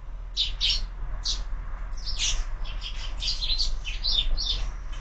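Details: Morning sparrows at a feeder fixed to a window, a few spaced chirps at first, then a dense run of quick overlapping tweets over low steady hum.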